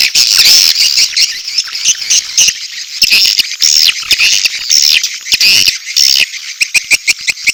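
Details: High, rapid chirruping from edible-nest swiftlets, mating calls combined with chick calls, forming an unbroken twittering chorus with clicky pulses and brief gaps toward the end.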